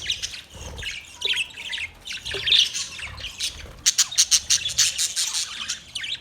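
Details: Budgerigars in a colony setup chirping; busy overlapping high chirps and squawky warbles, with bursts of rapid repeated sharp notes toward the end.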